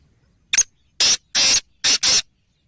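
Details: Black francolin giving a loud, harsh call: one short rasping note, then four longer grating, scratchy notes in quick uneven succession, the last two paired, over about two seconds, with near silence around it.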